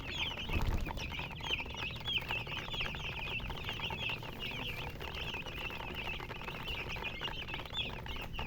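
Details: Chicks, baby chickens, peeping together: many short high chirps overlap continuously with no pause, a busy flock chorus over a steady low rumble of background noise.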